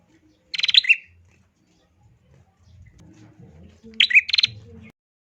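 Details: Female bar-winged prinia song used to get males singing: two short buzzy chattering trills about three seconds apart, with low rumbling noise between them.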